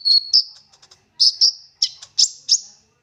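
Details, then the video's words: Lure song of an olive-backed sunbird, full 'nembak' delivery with rich fill-in phrases. A thin high whistle leads into sharp, piercing chips that repeat roughly every third of a second, followed by fainter clicks. "Konin Gacor Full Nembak Isian Mewah! 99% cocok Buat Pancingan konin Agar Bunyi"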